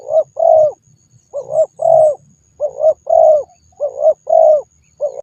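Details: Spotted dove giving low, mellow coos in repeated groups of a short note followed by a longer, slightly falling note, with brief pauses between groups. A thin constant high tone sits in the background.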